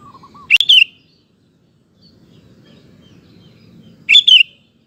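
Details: Sooty-headed bulbul singing, used to coax male bulbuls into replying: a brief low whistled note, then two lively double-note phrases roughly three and a half seconds apart, with faint low rumble between.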